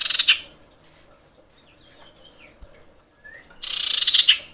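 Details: Female common iora in breeding condition calling to males: a dense, buzzy, rapidly pulsed trill opens the clip and a second harsh rattling burst comes near the end, with faint thin whistles from other birds in between.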